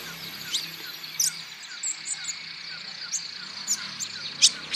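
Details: An olive-backed sunbird gives thin, high chips and short, sharp descending notes at an irregular, quick pace over a steady high-pitched hiss; the recording is used as a lure to prompt male olive-backed sunbirds to sing.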